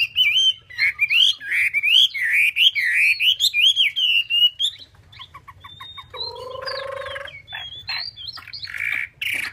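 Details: A Chinese hwamei pours out a loud, fluid warble of rising and falling whistles for several seconds, then shifts to softer high notes and a drawn-out lower tone.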